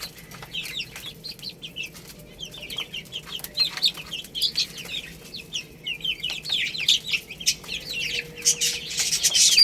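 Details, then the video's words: Group of young chicks chirping while eating rice: bursts of high, wavering peeps alternate with quieter gaps, building to a louder, denser chorus at the end over a low background hum. "Beautiful Chicks Chirping Sounds"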